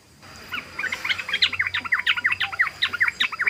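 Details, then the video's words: Yellow-vented bulbul (trucukan) pouring out ropel song: a fast, even series of sharp, bright chirping notes, about three a second, against a hissy background and a faint steady tone. "SUARA BURUNG TRUCUKAN ROPEL❗❗❗BURUNG TRUCUKAN NGEROPEL"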